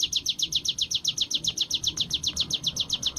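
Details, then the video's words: Caged Sunda warbler (ciblek gunung) in training, singing in the rapid ngebren style: a fast, even stream of high, thin downslurred notes, about eight per second, with faint low background rumble. "burung ciblek gunung gacor latihan ngebren"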